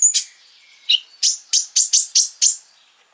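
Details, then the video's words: Sunbird, possibly female, singing to provoke other sunbirds into song: a few high thin chips, then a rapid series of about seven sharp, down-slurred, high-pitched notes repeated roughly every quarter second. "PANCINGAN KONIN GACOR FULL BUKA PARUH BIKIN KONIN EMOSI KOLIBRI LAIN !!"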